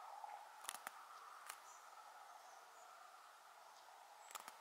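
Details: A European stonechat at Šinkov štradon, Ljubljana Marsh, Slovenia, on 31 July 2022, gives a few hard, clicking tack notes, single and in quick pairs. A steady hiss of background noise runs underneath.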